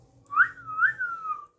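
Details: Pet parrot, said to talk in Bengali, indoors in a small room: two clear whistled notes that rise and fall, then a long gliding tone fading out, with people calling to it just before and after.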